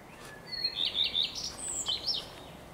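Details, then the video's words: Common Redstart song recorded on 12 May 2023 alongside a blackbird: a high thin opening note, then three quick repeated notes, ending in a brief rising and falling twittery flourish, over faint steady background noise. "Śpiew pleszki"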